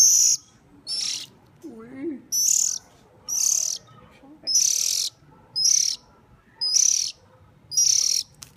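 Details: Hungry bird being hand-fed gives about nine harsh, hissing high begging calls, steadily repeated roughly every second, with a faint lower sweeping sound early on.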